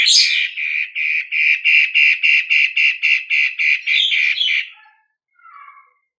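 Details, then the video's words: Long-tailed shrike, a cendet matahari in full loud song, used to stir other birds into singing: harsh rasping notes repeated about three times a second for over four seconds, ending in a short squeaky twitter. "Pancingan Cendet Matahari Gacor Ini"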